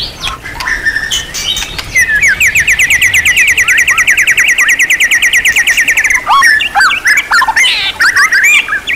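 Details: Champion-class white-rumped shama (murai batu) with a material-rich song: scattered whistles lead into a four-second rapid trill of rising notes, then a burst of varied loud whistled slurs.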